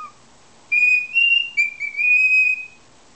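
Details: Pet cockatiel taught the tune "Que Sera Sera", singing in a good mood while posing oddly: a few clear sustained whistled notes, steady then slightly rising and falling, in a quiet room.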